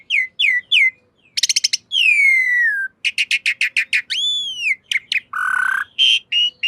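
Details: Black-winged myna master song used to train cage birds: clear whistled notes, rising and falling slurs, quick rattling bursts and a buzzy harsh note, varied phrases in fast sequence, clean with no background noise.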